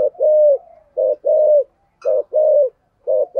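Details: Decoy spotted dove calling in 'giọng thổ' voice, 'thúc' and 'gù' types: deep coos in a short note plus drawn-out note pattern, evenly spaced, with a brief high chirp midway.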